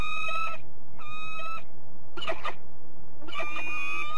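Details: At De Mortel, Netherlands, a peregrine falcon utters short harsh harmonic calls in separate bursts, mixed with a rough, noisy scraping sound between them.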